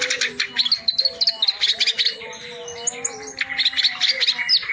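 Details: Reed warbler singing hard through its full repertoire as tutor material: crisp rapid chattering pulses and squeaky whistled notes, a short pause, then renewed grating bursts above soft low hums.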